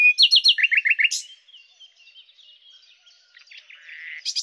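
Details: Common nightingale song opening with fast repeated whistled notes in two pitched runs and a sharp high flourish, followed by soft twittering, a buzzy churr and another bright high note at the end.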